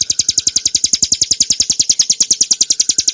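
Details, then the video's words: Short burst of ciblek gunung, or bar-winged prinia, ngebren nembak song used to train cage birds: crisp high notes repeated rapidly, about three and a half per second, throughout. "kicauan burung ciblek gurun untuk masteran & pancingan - suara jernih ngebren nembak"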